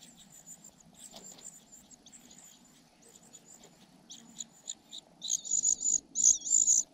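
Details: Parasitic cuckoo chick pestering its foster mother for food; soft, distant hissing notes at first, swelling into loud rapid shrill begging bursts near the end.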